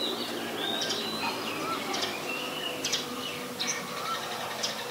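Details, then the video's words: Short whistles and sharp chirps from a White-vented myna, recorded 14 December 2020 at Ubon Ratchathani, Thailand; scattered high notes and a few thin sliding whistles against a hissy rural background. "นกเอี้ยงหงอน หรือนกเอี้ยงดำ (White-vented Myna)"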